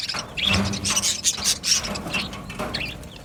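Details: Dense chatter from a budgie colony in an aviary: loud, busy high chirps and squeaky warbles crowding over each other, continuous throughout.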